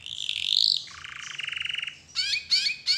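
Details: Canary song played as a lure to prompt other canaries to sing: a loud high rolling trill, then a lower buzzy rattling tour, then three sharp bright chirpy bursts.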